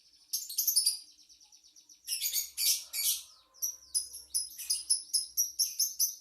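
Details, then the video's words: Chattering lovebird: clusters of high chirps, then loud, harsh, scratchy bursts, followed by a lively series of bright, clipped chirps repeated several times a second. "Kicau Lovebird | Ocehan burung Lovebird"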